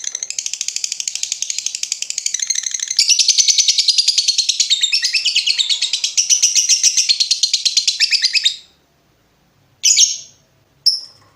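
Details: Long ngekek trill of a lovebird meant to train other birds: a fast, grating rattle held for about eight seconds, growing louder midway, then two short sharp chips.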